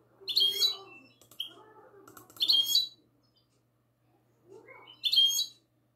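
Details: Classic-style song of a goldfinch hybrid, recorded on the night of 22 March 2020. Three loud, high twittering bursts come about two seconds apart, with softer low chattering in between and a pause before the last phrase.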